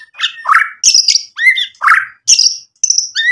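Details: White-rumped shama in full song, used as a lure to provoke rival shamas into answering, showing off its repertoire of added imitated notes: varied loud whistled phrases alternating between rising low slurs and high sharp notes, separated by short pauses.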